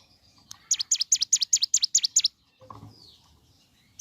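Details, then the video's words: Ciblek gunung heard in the morning: a fast series of about eight sharp, high, V-shaped chirps, evenly spaced, then a pause with faint lower chatter behind. "Suara Asli Ciblek Gunung Gacor Pagi Hari"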